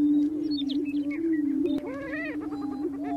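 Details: Greater prairie chickens booming on a spring lek during mating displays: a steady low moan underlies high squeaky notes early on, then a series of arching, rising-falling whoops.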